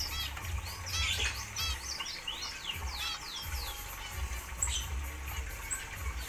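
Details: Several zebra finches in an aviary with a natural atmosphere produce clusters of bright descending chirps in the first half, then sparser notes, over a thick, throbbing low background.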